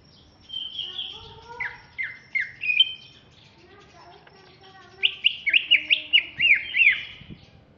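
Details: Greater green leafbird from Alas Purwo, Banyuwangi, East Java, a bigger bird: a high drawn note and three downward slurs, a pause of low chatter, then a rapid string of about eight sweeping whistles.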